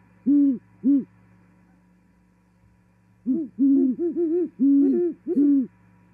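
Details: Female great horned owl arriving at an osprey nest in Charlo, Montana, January 2021, singing and mating. Two deep hoots, a pause, then two owls overlap in rapid hoot series, one voice slightly higher, under a constant electrical hum.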